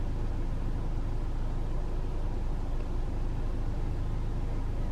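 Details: Steady loud engine rumble from a moving vehicle, with no animal calls.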